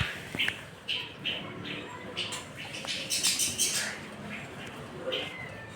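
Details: Shrike singing energetically against a magpie-robin: harsh, scratchy bursts and short chirping notes in quick irregular phrases, with brief louder squawky runs near the middle, over a faint steady background hiss.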